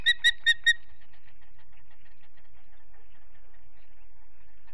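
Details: Osprey at a Montana nest in Charlo, late day before sundown in September: four quick, sharp whistled chirps at the start, followed by faint quieter calling fading out.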